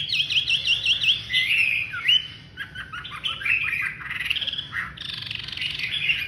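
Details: A loud Chinese hwamei pours out varied song: quick repeated whistled loops, rising slurs, chattering bursts and strident high phrases one after another.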